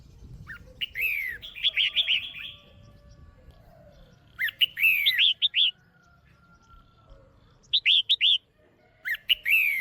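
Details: Caged female red-whiskered bulbul calling to stimulate a male or for pairing: short bursts of bright, chirpy slurred notes, three or four quick notes per burst, repeated every few seconds, with quiet gaps between.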